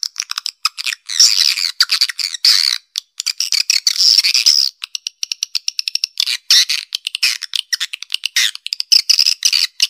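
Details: Black Panther swiftlet call for attracting birds to a central nesting area: rapid, rasping high twitters in choppy bursts, repeatedly cut by brief clean gaps, with a rattling, clicky rhythm.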